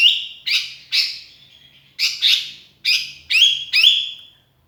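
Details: A lonely sooty-headed bulbul calls for companions, used as a lure; paired buzzy chirps alternate with drawn, falling whistled notes in short groups.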